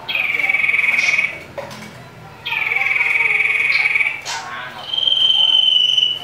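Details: Common iora in a fighting song meant to provoke rival birds: long, steady, pure whistles held over a second each, with short breaks, against a hissing background.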